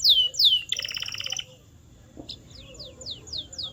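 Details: Canary singing for training caged canaries: two loud falling whistles, a rapid buzzy trill, a brief pause, then a series of quieter descending sweeps repeated roughly every quarter second.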